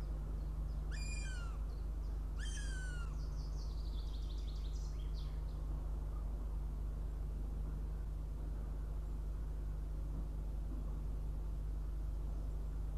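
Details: Young northern goshawk at its nest near Riga, Latvia, on the morning of 23 June 2017 around 06:14, arriving for breakfast; two loud, drawn-out, downward-slurred whining cries about a second and a half apart, followed by faint chatter, over steady low hum.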